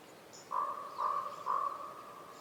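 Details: Common raven (Corvus corax), call.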